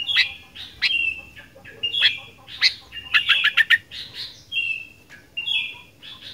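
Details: Busy, chatty fighter song from a sooty-headed bulbul: ringing whistles broken by sharp chirps, a fast stutter of four or five clipped notes, then more level whistled phrases.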